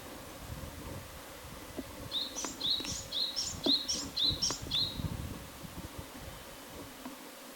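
A Japanese tit sings a quick run of high two-note phrases, about six in three seconds, over low background rumble.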